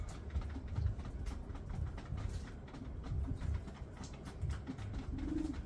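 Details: Backyard recording of a male Common Bronzewing courting his mate: soft, low 'oom' growls repeat irregularly under steady background hiss, with a brief higher note near the end.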